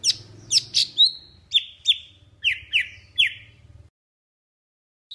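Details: Lure song of a Vietnamese golden-fronted leafbird used in trapping: several slurred high notes, then evenly spaced downward chirps, with a low background hum that cuts off before a final faint note.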